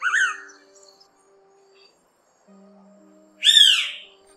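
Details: Two loud, slurred whistles of a Blue-winged Pitta, played as a flock-calling lure for trapping, each rising then falling, about three seconds apart, over a faint steady electronic hum.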